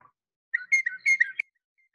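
Northern Mockingbird song: a quick, under-one-second run of varied clear whistled and slurred notes, fairly high-pitched with bright overtones, then silence.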